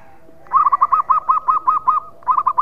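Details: Local zebra dove with a loud, ringing voice, used to stir birds in breeding mood: a bright run of about ten evenly spaced, clipped coos, a brief pause, then another quick burst begins.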